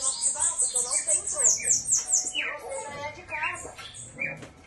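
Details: Double-collared seedeater singing strongly: a fast series of very high, thin whistled notes, then lower downslurred and buzzy phrases, with faint music and voices underneath.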